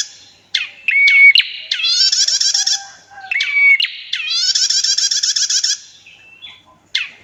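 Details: Female prenjak, said to be red-headed, giving sharp clicks and short whistled notes followed by a long grating buzzy trill, repeated twice in about seven seconds; quiet surroundings.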